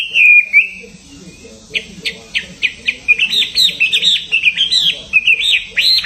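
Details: Caged songbird hung for a singing contest, ready to compete: a long whistled note opening, then a rapid run of sharp chirps and looping, slurred high whistles in quick succession, with faint voices murmuring low in the background.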